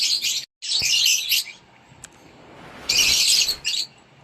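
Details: Rosy-faced lovebird chicks begging in a nest box while an adult feeds them, with long harsh, noisy wheezing rasps and a faint tap between bursts.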